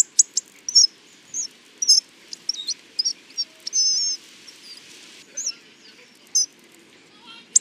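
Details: Hawfinch song: busy run of high chirps, squeaks and sharp ticks, one longer wavering whistled note midway, then sparser notes after a short lull.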